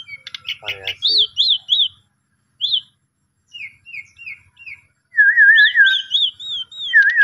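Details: Asian pied starling song used as a lure to stir a sulking, silent starling into full singing: rising-falling whistles repeated in short runs, gaps of silence, then a rapid warbled trill and further whistled slurs.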